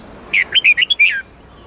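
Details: Song of a red-whiskered bulbul, played to teach caged birds to sing: a brisk run of six loud whistled notes with twisting pitch, finishing on a longer descending slur, against near silence.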